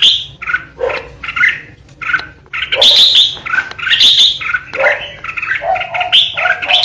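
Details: Red-whiskered bulbul lure bird singing the piercing 'ché' song meant to intimidate rivals: busy stream of mellow warbles, scratchy chatters and sharp high notes running almost without pause.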